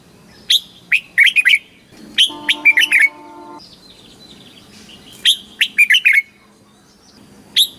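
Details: Red-whiskered bulbul, a Thai cage bird, delivering southern master-style phrases to excite birds and train chicks; repeated phrases of a high opening note and tumbling quick chirps, with a low steady humming tone partway through.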